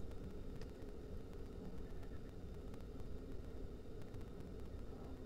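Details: Steady broadband rushing noise like a passing vehicle or aircraft is heard throughout, and no animal sound is heard.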